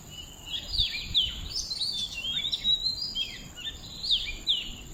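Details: A bird sings outdoors in fluid whistled phrases, bright rising and falling slurs repeated in short bursts, over low environmental noise and a thin steady high-pitched hum.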